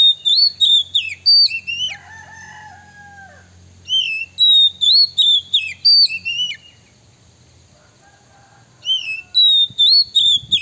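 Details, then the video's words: Oriental magpie-robin song used as a lure to provoke rival birds: loud, clear whistled phrases, some rising and some falling, given in quick bursts, with a brief lower drawn-out whistle and a pause in the middle. "suara PIKAT kacer PALING DI CARI 2024 / SUARA BIRUNG KACER BIKIN EMOSI LAWAN"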